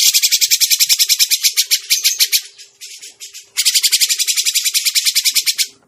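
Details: Grey-cheeked bulbul trapping lure: two long bouts of loud, rasping chatter of rapid regular pulses, about four per second, separated by a brief softer pause, with a faint steady hum.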